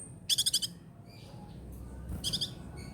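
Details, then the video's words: Sunbird (kolibri ninja) singing in the trotol style, recorded as a master song for training songbirds in Indonesia. Two bursts of very high, rapid, sparkling trilled notes, five then four, separated by a quieter pause, over low rumbling background noise. "KICAUAN KOLIBRI NINJA TROTOL"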